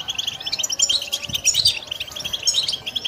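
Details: Short stretch of a pet goldfinch's song: fast liquid twitters and trills run together without pause, bright and high, over soft low background noise.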